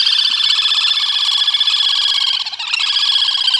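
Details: Little Grebe feeding chicks gives a loud, high, rapidly pulsed whinnying trill running almost without break, briefly faltering near the end.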